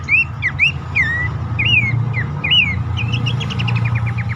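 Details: Horsfield's babbler lure call for stressed or silent caged birds: looping whistled notes repeated roughly every half second, ending in a fast train of short clipped notes, over a constant low rumbling background.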